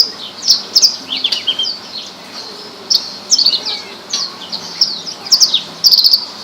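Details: Horsfield's bush lark, described as a rare bird, singing: bursts of rapid, high, thin chirps and short slurred whistles, some sharply falling, grouped into phrases about every second with brief gaps.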